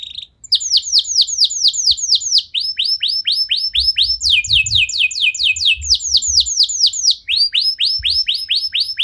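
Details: Canary song as a prompt for other canaries to sing. Continuous series of bright downward-sweeping chirps at changing pitch and speed, with faint low knocks in the background.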